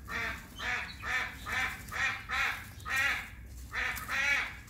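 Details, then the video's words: Playing hyacinth macaws repeat loud, raspy, honking calls roughly twice a second. There are about nine calls in under five seconds, with brief pauses between them and no other clear sounds. "Hyacinth Macaws playing"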